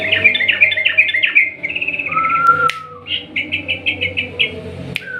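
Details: Sooty-headed bulbul in a fast, long-trilled 'ropel panjang' style, played as a lure to set a silent bird singing: quick runs of short, falling chirps, a lower drawn-out whistle midway, then another rapid run, with a few sharp clicks.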